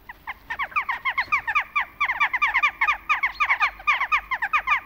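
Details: Many Western jackdaws calling together in autumn, a steady rapid stream of short, harsh, downward-slurred 'chak' notes overlapping throughout.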